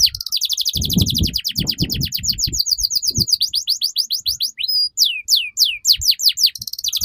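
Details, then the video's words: Canary in long, unbroken song to train young canaries: a steady rapid trill of short notes, then slower, widely sweeping downward chirps, with bursts of low rustling noise. "PANCINGAN Burung KENARI Gacor Panjang || MASTERAN Kenari Paud Agar Cepat BUNYI"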